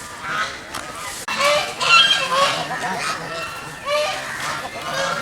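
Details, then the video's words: Several geese swimming on a pond call together, a rapid jumble of short nasal honks and cackles, a couple per second, overlapping one another without a clear rhythm. "Goose Sounds ।। Goose Call । Goose birds swimming and making noise in the pond."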